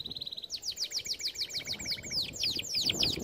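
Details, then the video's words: Canary singing a training song: a short steady high trill shifts into a long series of regularly repeated downward-sweeping whistles, about three per second, over a lower buzzing roll, ending in sharper louder swoops. "Most powerful song for training Canary"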